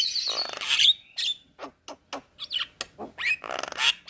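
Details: Javan myna, jalak kebo mata putih, in lively training song: harsh buzzy bursts alternate with sharp clicks and a falling whistle, a short, busy, scratchy phrase.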